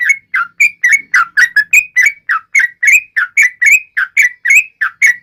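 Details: Loud, ringing whistled notes from a Yellow-vented bulbul taunting rivals, delivered in a quick, even chain of short rising and falling slurs, roughly three to four per second, against a quiet background.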